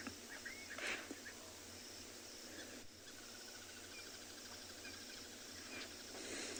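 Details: Crested barbet gives a long, even, rapid trill like a running alarm clock at sunset at a waterhole in Tswalu Kalahari Reserve, South Africa, 29 June 2020, over steady hiss with brief whistles from other birds; hippo, buffalo and little grebes nearby.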